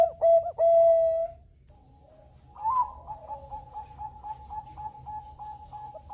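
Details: A Bangkok zebra dove, singing to draw other birds to join in, gives two long, steady, hollow coos. A pause follows, then a soft, even trill of evenly pulsed notes repeated about three times a second.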